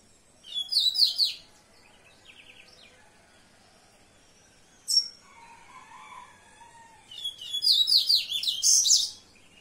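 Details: Song of a yellow-bellied seedeater: two loud bursts of fast, high, scratchy twittering notes about seven seconds apart, with a short sharp note and a softer low warble in between.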